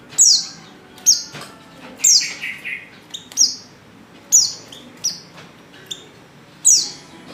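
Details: Female Oriental white-eye lure call that stirs males into song: loud, thin descending chirps repeated roughly once a second, with softer lower notes between them.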